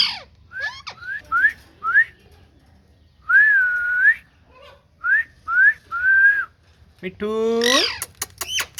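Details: Talking green ringneck parrot: short rising whistles, a long wavering held whistle near three seconds, more upslurred notes, then a nasal, buzzy, voice-like drawn-out sound with clicks at the end.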